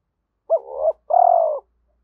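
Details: Spotted dove calling continuously in thúc style to draw wild doves in fast. Two clear, mellow coos: a short swelling note dipping then rising, then a longer, slightly pulsed, steady coo.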